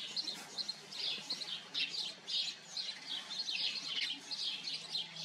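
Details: House sparrow colony: a steady stream of clipped, overlapping chirps from several birds, rising and falling in loudness in waves about every second.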